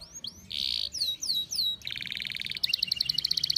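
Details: A canary in breeding condition (over-birahi) sings a quick, varied phrase: high falling whistles, a brief buzzy note, then rapid rolling trills that speed up toward the end.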